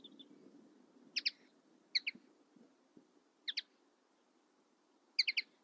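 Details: Common linnet giving quick paired and tripled chips, four separated bursts with pauses between them, over a faint low rumble.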